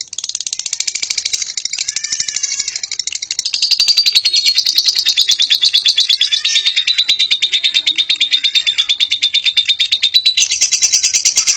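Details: Lovebird performing ngekek, a long unbroken chattering trill of fast, high, scratchy pulses repeated about three times a second, growing louder and steadier after a few seconds and running continuously throughout.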